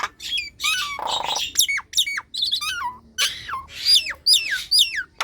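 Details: Nias hill myna song used to prompt reluctant birds to sing: rapid run of ringing whistles and downward-sliding notes broken by a rough buzzing squawk, phrases coming about twice a second.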